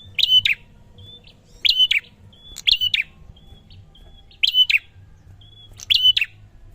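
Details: Prinia repeating loud sharp chirps about every 1.4 seconds, bright whistled centre with buzzy clicks, faint short whistles in the pauses; quiet low hum.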